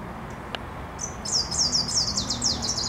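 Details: Wood warbler, a spring visitor in Warsaw, Poland, on 9 June 2023: a single high note followed by a fast, loud trill of repeated downward slurs that continues to the end, after a brief tap early on.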